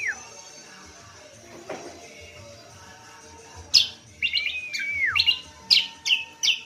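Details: Cucak kombo, known too as kacial lombok, in full song as a training lure for other birds: near silence at first, then a loud series of sharp chirps and a downslurred whistle, with soft low background noise.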